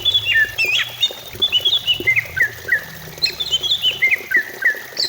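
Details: Greater green leafbird song meant to stimulate singing: rapid series of high whistled notes stepping downward in pitch, repeated twice, each note a short slur, with a faint low hum beneath.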